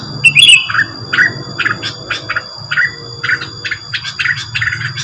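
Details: Rengganis lure sound made of bright, clipped chirps in loose series, with a brief squealing note at the start over a low background hum.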